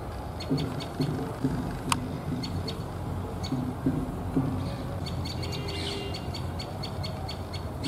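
A common tailorbird gives sharp, high, rapidly repeated chipping notes in quick runs over a steady low rumble of traffic or machinery.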